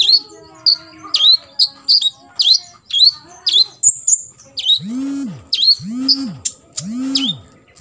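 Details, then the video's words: Rapid run of sharp swept chirps from an olive-backed sunbird giving fill-in 'isian' material for imitation, about two notes a second, joined late by three lower, arched, buzzy calls. "KOLIBRI NINJA (KONIN) FULL TEMBAKAN ISIAN"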